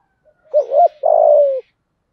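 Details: Spotted dove lure bird, 'giọng thổ' voice, provoking wild doves with 'thúc gù' calls: a quick double-humped coo followed by a sustained, slightly falling croon of about half a second, in otherwise quiet surroundings.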